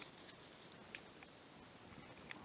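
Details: A hazel grouse that has just flown in nearby in forest gives a very high, thin, drawn-out whistle, strongest mid-clip, over quiet forest air with a few soft knocks and rustles.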